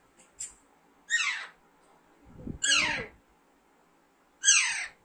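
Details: Young Alexandrine parakeet kept at home and hand-raised, during talking practice: three harsh, downward-sliding screeches spaced about 1.5 seconds apart, with a brief human voice between them.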